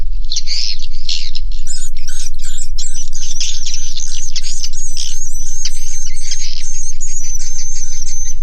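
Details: Swiftlets inside a swiftlet house, many birds calling at once: dense, high, buzzy chirps and thin whistled notes overlapping without pause, with a steady low hum underneath.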